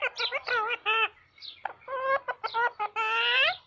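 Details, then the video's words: A parrot talks in loud, nasal, voice-like bursts: clusters of short syllables broken by brief pauses, with a longer drawn-out phrase at the end. "parrot talking"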